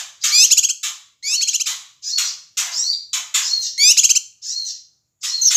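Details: Excited calling of a male Ashy tailorbird from Sumatra, meant to rile other birds: high, scratchy bursts with fast pulsed trills, five or six phrases with brief gaps.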